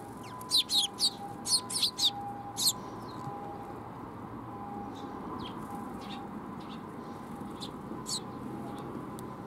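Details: Young sparrow at Mizukami Bridge on 5 June 2021, giving a quick run of high, sharp chirps in the first three seconds, then a few fainter, scattered chirps over a steady low hum.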